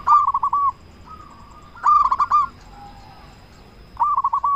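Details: Local zebra dove, a loud, strong singer, cooing to provoke other doves to answer: bursts of rapid, purring, stuttered notes, one short steady hum between them, and a long pause mid-clip.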